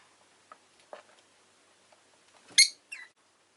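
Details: Domestic rosy-faced lovebird makes a loud, grating chirp, then a shorter, lower chirp right after. Faint clicks and rustles are heard before them.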